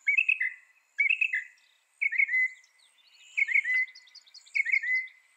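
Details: Northern mockingbird singing: short phrases of slurred, descending notes near the same pitch, each phrase repeated two or three times with brief pauses, a faint high insect hum steady in the background.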